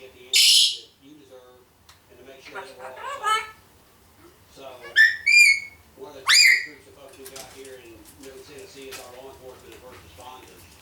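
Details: A one-year-old female pet African grey parrot blabbering: short sharp rising whistles and warbled notes in bursts, with steady human news speech from a broadcast running underneath throughout.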